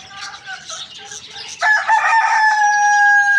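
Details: Rooster crowing loudly in the morning: soft clucks and small-bird chirping for the first second and a half, then one loud, sustained, harmonic crow holding steady for about two seconds, with small birds still chirping behind it.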